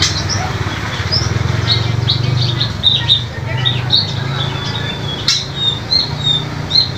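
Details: White-eyes in a lure recording meant to get other white-eyes singing chirp in quick, high, thin twittering notes over a steady low hum, with several birds calling at once.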